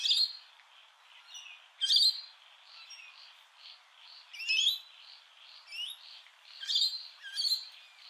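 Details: Rainbow lorikeets at Heatherdale Wetlands, recorded with a telephoto camera setup: repeated sharp, screechy bursts every second or so, mixed with a steady pulsing insect drone in the background.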